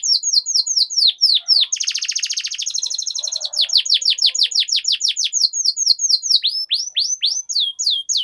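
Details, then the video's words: Long-rolling canary song meant to trigger singing in other canaries: crisp descending whistled notes, a sustained buzzy rattling roll in the middle, then renewed fast series of swept notes. "Suara Pancingan Burung Kenari Agar Cepat Gacor dan Ngerol, Masteran Suara Kenari Ngeroll Panjang"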